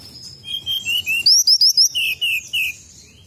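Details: Sunda robin lure sound: sweet whistled phrases of short slurred notes, first falling in steps, then a higher rising trio, then three lower descending whistles, over quiet low rumble.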